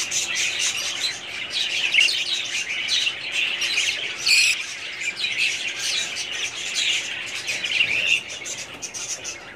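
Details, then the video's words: Breeding-colony budgerigars, 2017, squawk and chirp together in a dense high chorus, with one sharp loud call standing out partway through. "budgies parrots colony progress update 2017"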